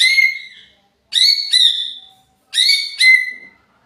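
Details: Agitated greater green leafbird, used as a lure song: loud, clear whistled notes with strong overtones, given singly and then in close pairs, some slurring downward, separated by short silences.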